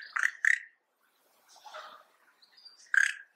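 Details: Yellow-rumped cacique calling: two loud harsh notes in quick succession, a softer raspy, creaking phrase after a pause, a thin high whistle, then another loud harsh note.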